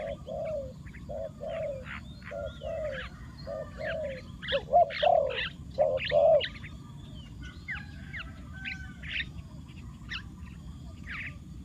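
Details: Decoy spotted dove cooing to attract wild doves. Evenly spaced low coos for several seconds, then a louder burst of mixed notes. After that, varied chirps and whistles of other birds take over.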